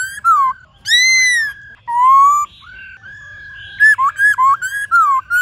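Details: White-cheeked laughingthrush in a varied forest-voice song used to train caged birds: loud whistled phrases, some long and arched, others dropping sharply, followed by a rapid run of short slurred whistles.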